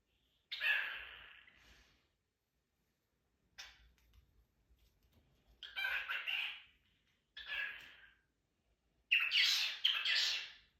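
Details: Pet cockatiel making kiss sounds: harsh, breathy smacking bursts of about a second each, one faint and stuttering, others loud, spaced by pauses of one to two seconds.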